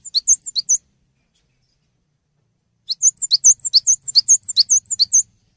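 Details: Cinereous tit singing in lively style, used as a tutor recording for songbirds: two quick bursts of high, sharp two-note whistles repeated rapidly, separated by a pause of about two seconds.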